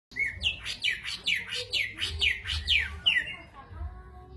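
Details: Greater green leafbird singing in the gacor jamtrok style: a fast run of about nine bright, downslurred whistled notes, each dropping sharply, repeated roughly twice a second, then fading into a soft low murmur.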